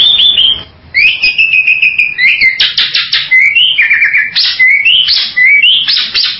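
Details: Bali myna with clear sliding whistles, rising and falling, mixed with harsh rasping bursts repeated in quick succession.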